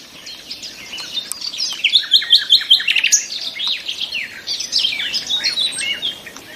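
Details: Several nightingales sing over one another in a busy chorus: quick high chirps and slurred whistles, with a short run of evenly repeated notes in the middle and constant overlapping twitters throughout.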